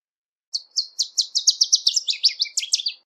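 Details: Northern Waterthrush (Parkesia noveboracensis) singing outdoors: about a dozen loud, sharp, emphatic chip notes in quick succession, growing more complex and tumbling lower toward the end, with a clean silent background.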